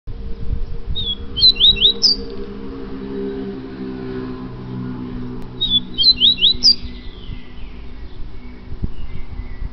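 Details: Yellow-bellied seedeater of the Bahia type (coleiro baiano) singing: two short bursts of high, quick, slurred whistled notes about four seconds apart, each rising to a sharp final note, over a steady low hum.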